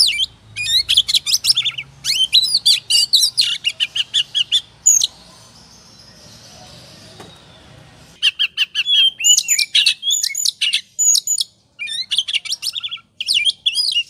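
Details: Oriental magpie-robin 'ngobra' lure song meant to provoke singing: fast, rhythmic bursts of high chattering notes, a hushed stretch of low background hiss midway, then the rapid chatter resumes in quick, repeated strokes.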